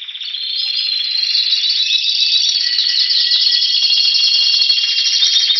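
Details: Spanish Timbrado canary, recorded in February 2016 in Anavissos, Athens, Greece, while "waiting for spring", sings an unbroken run of high, metallic rolling trills, its rapid tones shifting and blending with no pauses.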